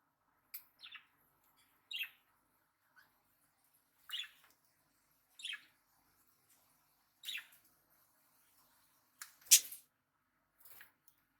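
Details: Pet budgerigar giving short, bright chirps repeated every second or two.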